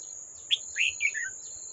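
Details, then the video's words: Old wild red-whiskered bulbul at a trap with a decoy, 18 July 2024: a sharp opening chirp and then three rich slurred notes dropping step by step, set against an unbroken high insect drone. "Bẫy Chào Mào Già Rừng Quá Khung Không Về Đánh Con Mồi"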